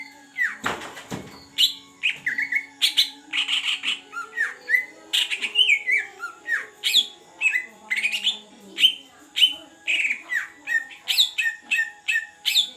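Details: Big Greater green leafbird from the forest of Beutong, Aceh, in its first month in care, singing a long varied stream of whistles, chips and buzzy slurs at a brisk pace; a brief rattling noise near the start and a steady faint hum.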